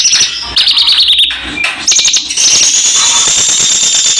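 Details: Javan bush lark in full vigorous song: a loud, distorted jumble of high whistles, quick stuttering notes and a long sustained high tone, recorded very close.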